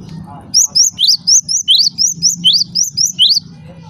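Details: Java sparrow giving a run of about eleven sharp, upward-flicking high chirps at a quick, slightly uneven pace, over faint low background hum; the sound is said to provoke other Java sparrows into calling.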